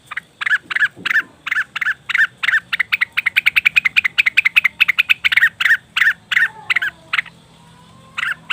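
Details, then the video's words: Leafbird calls played to lure wild birds: rhythmic chirps that speed into a rapid stuttering run, then slow again, with a faint low hum behind. "pancingan burung cucak wilis/rengganis dijamin langsung bunyi"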